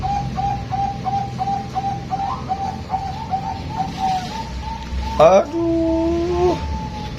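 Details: Bangkok perkutut, a male zebra dove, sings to prompt a female to call: a quick series of short, even coo notes, then a loud knock, a steady drawn-out tone and faint voices in the background.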